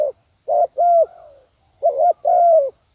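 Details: Decoy spotted dove calling to lure wild doves: two phrases of low, hollow coos, each a short note followed by two longer ones that swell and then slightly fall. Quiet pauses separate the phrases, with no other sounds.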